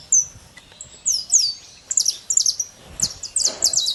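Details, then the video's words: Free-living saffron finch gives spaced high chirps at first, then tighter clusters of sharp, slightly downslurred notes toward the end, over a quiet background. "Canário da terra livre na natureza"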